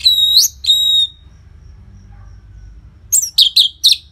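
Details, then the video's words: Loud song of an orange-headed thrush, played to get caged birds singing: two clear sustained whistles, a silent gap, then four quick emphatic chirped notes; steady low hum in the background. "Pancingan & Masteran ANIS MERAH Gacor Jeda Rapet Suara Keras || Burung Macet Pasti Ikutan Bunyi."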